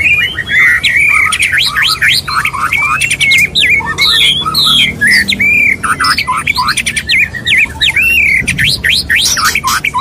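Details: Mating song of a male white-rumped shama courting a female: loud, continuous bursts of rising and falling whistles, steep sweeping notes and chatter, full of energy with only brief breaks.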